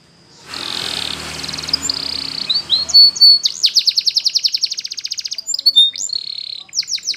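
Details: Belgian canary training song meant for young canaries learning to sing: after a burst of hissing noise, high bright notes turn into fast rolling trills, a steady run of rapid repeated chirps, then a sharp whistled note.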